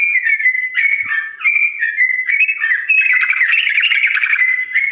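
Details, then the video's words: Slow ropel song from a yellow-vented bulbul, recorded for birds to copy: flowing whistled notes leading into a dense, twittering, slightly harsh passage. "TRUCUK GACOR ROPEL PANJANG NADA PELAN ‼️ UNTUK BURUNG TRUCUK CEPAT MENIRUKAN"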